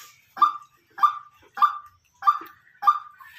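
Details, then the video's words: Decoy white-breasted waterhen giving five loud, clipped, nasal notes evenly spaced about 0.6 seconds apart, each a sharp mid-pitched bark with a quick fall, against a quiet background. "Tiếng quốc mồi kêu"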